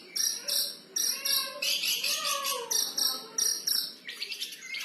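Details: Long-tailed shrike, an active singer, in freestyle song: bursts of harsh, buzzy, high notes about every half second, with lower whistled slurs beneath and some chattering mimicry-like phrases.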